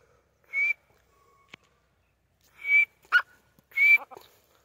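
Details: Female grey francolin, known locally as Sindhi teetar: three short, level, high whistled notes, each under a second, spaced irregularly over four seconds, with a few sharp clicks between them against a quiet background.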